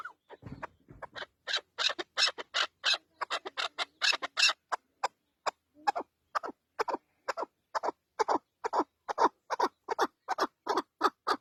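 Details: Partridge uttering a long series of sharp, scratchy clucks, closely spaced and fairly steady, following a short low thump at the start, the notes bright and rasping.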